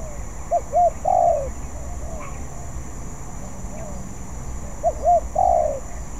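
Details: Young spotted dove in training gives two phrases of paired short coos ending in a long falling coo, with a faint brief chirp between them and a steady hum behind.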